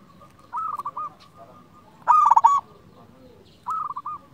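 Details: Local Indonesian zebra dove in song, kept as a lure to get other doves calling: three stuttered coo phrases, the middle one loudest, each made of quick pulsed notes at a steady pitch.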